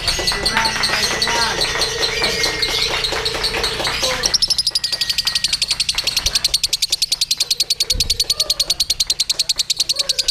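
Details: Lovebird hung on the pole at a singing contest, delivering its ngekek: long rapid trains of harsh high chattering pulses that speed up and grow sharper after four seconds, with whistles from other contest birds mixed in.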